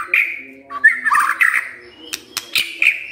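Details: White-rumped shama replying to a lure recording: bright whistled notes and a chattering warble, broken by sharp clicking snaps, over a faint steady hum.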